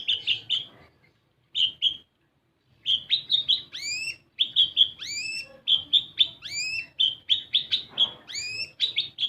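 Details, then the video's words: Kolibri ninja sunbird used as a lure to get young untrained birds singing: bursts of high, sharp chirps and rapidly rising whistled sweeps, strung in dense runs with short pauses, a faint low hum beneath. "Pancingan Kolibri Ninja Bahan Agar Bunyi"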